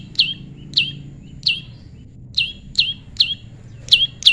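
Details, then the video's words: During natural pairing, a tame prinia repeats sharp descending chip notes roughly every half second, sometimes in close pairs, against a soft low background hum. "prenjak lumut jodohan alam/prenjak jinak/prenjak bawah/prenjak putih"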